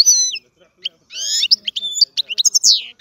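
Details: European goldfinch giving scattered bright chirps, a drawn-out buzzy note and sharp high twitters, separated by short silences. Faint lower sounds are heard underneath.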